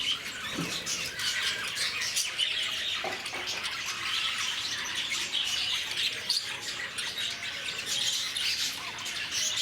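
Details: A crowd of zoo lovebirds at Bannerghatta, Bangalore, chattering: continuous high, squeaky chirping and harsh little squawks mixed together, plus a few soft low knocks early on.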